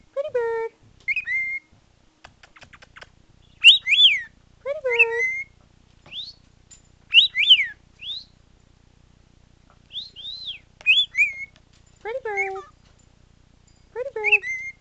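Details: An almost two-year-old male cockatiel does a wolf whistle and whistles part of the Andy Griffith tune in short rising and falling phrases, with smacking kissing sounds between them. He also says "pretty bird".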